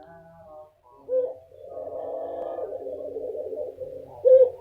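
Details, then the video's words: White female Pelung dove in heat, calling with a low, drawn-out, rolling coo that swells and wavers for about three seconds, framed by shorter, brighter coo notes at the start and end; indoor setting. "Suara puter pelung putih betina birahi"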